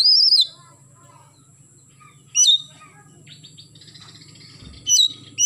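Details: Oriental magpie-robin singing in the morning: loud clear whistled notes that slide downward, spaced about two seconds apart, over a faint low hum.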